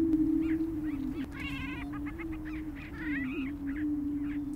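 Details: Displaying prairie chickens on a Minnesota booming ground give a continuous low, droning boom, overlaid by a burst of harsh, rapid chattering and several clucks and whoops from the group.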